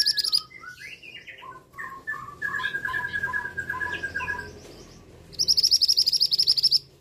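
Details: A male scarlet minivet's shrill high-pitched call-burst of about fifteen quick notes follows a lively stretch of lower warbled, repeated whistled phrases.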